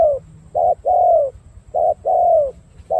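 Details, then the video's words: Cooing spotted dove with dark purple legs, from Cà Mau, Vietnam, a kept bird praised for its good pattern: each phrase is a brief coo, then a longer, smooth, descending note. Two full phrases are heard, with faint low rumble underneath. "Đồng gù bài bản tốt chân tím đen"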